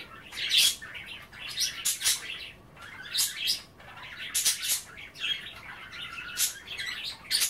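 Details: Pet budgies enjoying kale and water rather than bathing keep up a lively chatter of raspy bursts and twittering warbles, rising and falling in waves across the whole stretch.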